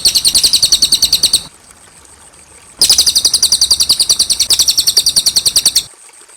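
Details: Cililin song recorded clearly as tutoring material for other birds: fast, high chattering notes repeated about three times a second in a bright trill, a pause, then a longer burst of the same rapid rhythm.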